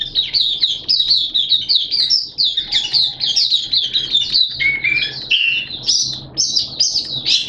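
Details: Oriental white-eye hobby bird singing its opening song on 11 September 2022 in wet, erratic weather; breathless high twittering with rapid chirps and a few lower slurred whistles mid-phrase.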